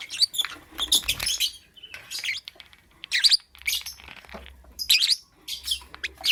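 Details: Lovebird chirping in the morning: rapid bursts of shrill, high chirps and squeaky twitters come in clusters every second or so, with short quiet gaps between bursts and a faint low hum underneath.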